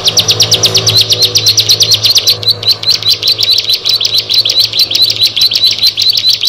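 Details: Bar-winged prinia (ciblek), one of a group of six: a rapid trill of thin high notes that slows into a long, regular series of sharp chirps repeated several per second, over a soft low background hum.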